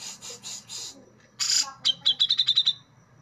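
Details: Brown-cheeked bulbul (cucak jenggot) in sharp besetan style: three scratchy rasping notes, a loud harsh burst, then a rapid rattle of about eight shrill, clipped notes ending abruptly, close and clear.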